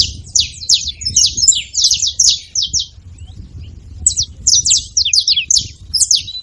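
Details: Several free saffron finches at a feeder, noisy: rapid overlapping high chirps in a long burst, a quiet gap of about a second, then another busy run, low background noise throughout.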